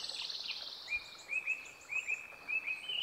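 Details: Bolivian blackbird at Maragua near Sucre, Bolivia, April 2023; short rising whistled notes repeated roughly twice a second, while another bird gives a higher buzzy trill in the background.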